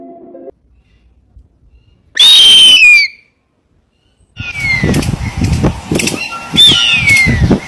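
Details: Harpy eagle: a loud, thin, high whistle sliding steeply downward, then after a pause further descending whistled wails amid repeated low thumping and rustling noises.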